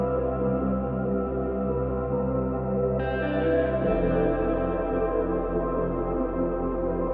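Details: Soft ambient music with sustained, layered tones and a brightening shift partway through, with no animal sounds.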